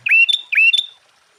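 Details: Sooty-headed bulbul song used to provoke other bulbuls into singing: two quick rich phrases, each a low swoop rising into a bright whistled note, then silence.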